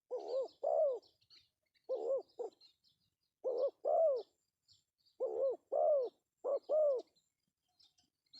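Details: Male spotted dove calling, used as a lure: low, soft, hollow coos in groups of two or three notes, each group repeated about every one and a half seconds, over silence.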